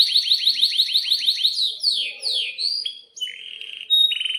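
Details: Energetic canary song in breeding condition, used as a tutor for young birds: a rapid rolled trill of repeated notes for over a second, then swooping descending whistles, ending in a short buzzy trill.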